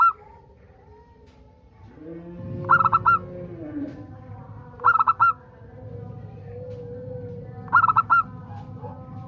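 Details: Zebra dove of local type singing to coax others into song: three widely spaced bursts of four rapid, ringing coos about two and a half seconds apart, over a low rumble and soft background bird notes.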